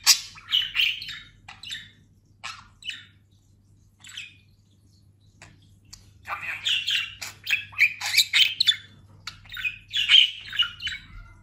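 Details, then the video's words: A pet talking budgerigar, freshly moulted and grown fat, chatters in rapid, scratchy bursts of chirps, squawks and warbled mimicked phrases, with a quiet pause midway before resuming. "Konuşan muhabbet kuşu"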